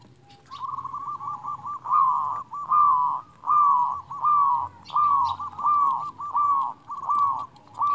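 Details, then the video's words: Local Indonesian zebra dove with a big voice singing freely, used as master song to prompt lazy doves to sing: about ten rolling, trilled coo phrases repeated steadily roughly every 0.8 seconds, with a faint low hum beneath. "Perkutut lokal gacor suara besar Masteran perkutut bikin yang malas jadi bunyi"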